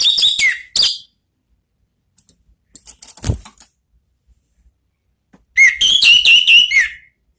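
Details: Orange-headed thrush in ngeplong song: a few clipped whistled notes, a quiet stretch with a soft thump, then a fast, bright series of looping whistled phrases lasting about a second and a half.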